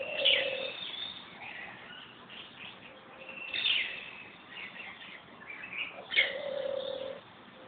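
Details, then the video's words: A bird calling in Corbett National Park, India, gives three phrases that each mix a sharp high note, a rough chattering sequence and a steady low whistle, set a few seconds apart, with faint hiss behind. "bird's voice"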